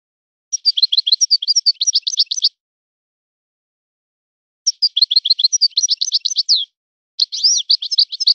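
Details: European goldfinch singing in a named local song style, delivering two long bursts of rapid, tinkling twitters and trills about two seconds each, then a third phrase beginning, with total silence between and no other sounds.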